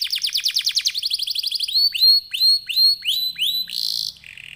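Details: Lively canary song used to prompt other canaries to sing: a fast trill of down-slurred notes, then spaced upward-hooked whistles about every half second, ending in a harsh buzzy burst and a dry rattle.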